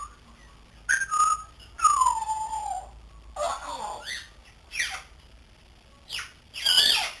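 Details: Young pet grey parrot, three months old and learning to talk: a short whistle, then a long falling whistled slur, followed by harsh nasal squawks and a final bright trilled note.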